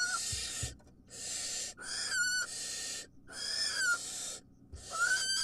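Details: Wild barn owl mother at feeding time giving long, harsh, hissing screeches, each lasting about a second with short gaps between them. The screeches are broad and rasping, with a thin whistled tone showing at the end of some.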